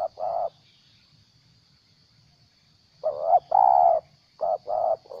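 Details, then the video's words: Stuttering 'gagap' coos from a captive spotted dove decoy kept for luring: a short coo, a long silence, then a close cluster of about five mellow, mid-pitched notes, one longer than the rest. A faint constant high hum sits in the background. "Suara burung terkukur gagap penguku"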